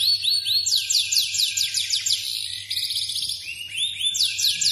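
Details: F2 Yorkshire canary in song: high, rapid trills in which each run of descending, sweeping notes gives way to the next, with one buzzy, fast-rattled tour in the middle.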